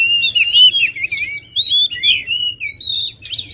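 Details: Song of an oriental magpie-robin, a rapid run of bright whistles and scratchy chirps, notes bending up and down, phrases separated by short gaps.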